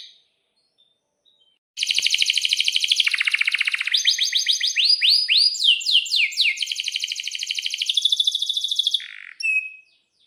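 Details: Excited canary singing long rolls, played to get other canaries singing: after silence, dense trills and fast rolls, then a series of down-slurred whistles, a steady chattering trill and a final short whistled note.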